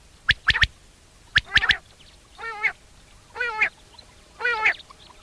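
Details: Wild common quail (Coturnix coturnix) giving its mating call at sunset in a summer meadow: two quick sharp triple-note phrases about a second apart, followed by three louder, longer nasal honking calls from another bird.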